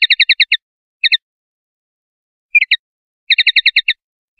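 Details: Common linnet (Linaria cannabina) song, from a 2021/2022 linnet song recording: quick bursts of bright, twittering notes, five or six in rapid succession, broken by short pauses; nothing else heard.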